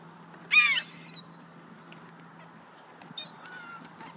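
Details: Sea gulls being fed, hungry, January 2013: two sharp, high, squealing cries about two and a half seconds apart, the first falling in pitch, over a faint steady hum and background murmur.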